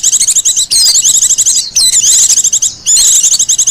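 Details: Japanese white-eye in the wild singing a lively, high, rippling twitter of fast chirps and down-slurred whistles, three near-continuous phrases, used as a lure and master song.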